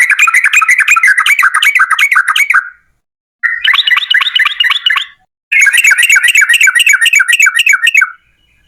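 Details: Energetic yellow-vented bulbul giving the long, rapid "ropel" song style used to coax other bulbuls into singing: three loud runs of quick, bubbly, repeated gurgling notes, each several seconds long, separated by brief silences.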